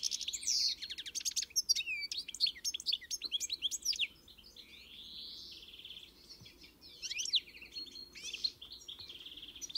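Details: European goldfinch delivering fast tinkling twitter bursts and sharp chirps, a long buzzy slurred note in the middle, then a fresh burst of liquid twittering toward the end.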